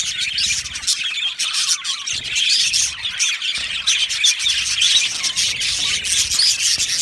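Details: Aviary budgerigar colony in full chatter: many overlapping high chirps, twitters and squawks forming a steady wall of sound, faint low thumps underneath.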